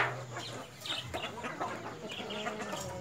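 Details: Short bursts of clucking and brief raspy notes from White Leghorn hens and a rooster, irregularly spaced over a constant low droning background.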